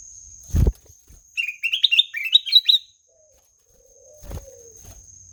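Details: Black-naped oriole singing melodiously: a single burst of quick, high, rising chirped notes, about eight in a row, run together over under two seconds. A soft low whistle, a steady high insect-like hum and a few thumps are also heard.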